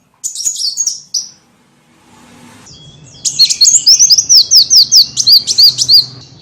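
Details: Lure sound to attract small birds: brief high twitters, a pause with soft hiss, then a loud series of about a dozen quick, rising, whistled notes over a low hum.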